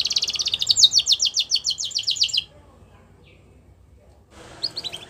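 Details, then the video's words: Canary singing for young canaries in training: a rapid, even, high-pitched trill lasting over two seconds, then near silence before a few faint, fast notes return. "Bird Song | Canary Singing"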